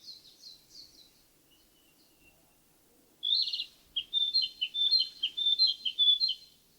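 A Narcissus flycatcher sings a soft, distant phrase, then a loud run of about eight bright, clipped whistled notes, rapidly repeated and slightly rising.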